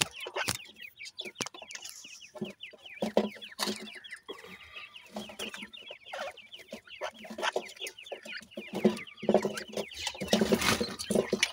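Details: Several young partridge chicks peep continuously with short, thin, falling chirps packed closely together, punctuated by scratching, tapping and rustling sounds near the birds.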